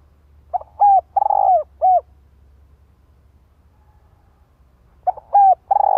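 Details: Spotted dove used as a decoy, calling to provoke other doves: a low, mellow phrase of a short stuttering note then several drawn-out coos lasting about one and a half seconds, repeated after a three-second pause, over a faint low hum.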